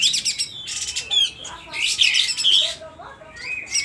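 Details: Loud, excited singing from an agitated sooty-headed bulbul from Aceh with its tail spread: a quick run of high chirps, a dense chattering burst, then sparse thin whistled notes trailing off.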